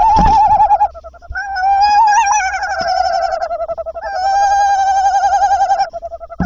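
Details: At the tawny owl nest, calling surrounds the male's mouse delivery at 21:50. Overlapping wavering notes at slightly different pitches, some rising and breaking, with bumps and knocks between them.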